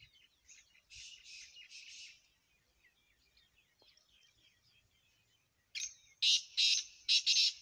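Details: Black francolin giving harsh, grating, buzzy notes: three rough bursts between one and two seconds, a quiet chirping stretch, then four loud scratchy bursts close together at the end.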